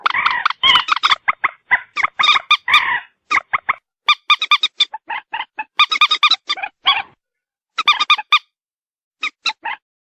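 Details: White-breasted waterhen in a dense run of loud, harsh, honking croaks, crowded and overlapping at first, then breaking into spaced groups of quick repeated notes before thinning out.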